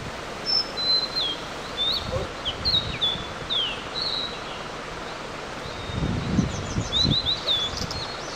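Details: A Blue-and-white flycatcher, recorded through a digiscope in 2014, sings at length in early morning above a mountain stream near a highland: a varied series of clear high whistles, slurred notes and quick descending phrases, with occasional low rumbling.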